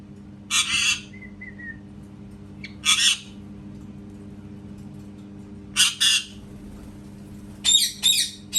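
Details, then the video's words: Parrot screeching in harsh doubled squawks, spaced a few seconds apart, with a faint thin whistle after the first pair; low hum in the background. "PARROT MAKING CAT SOUNDS"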